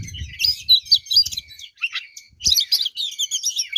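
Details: Fighting song of an oriental magpie-robin, full of fills, used to provoke rival birds: two bursts of dense, bright warbling and whistled notes with a brief dip between, over low muffled knocking.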